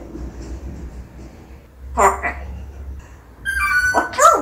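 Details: Pet parrot performing indoors: quiet murmuring, then two short voiced bursts, followed by a sustained whistled tone and a harsh rising cry that ends the passage, over a steady low hum.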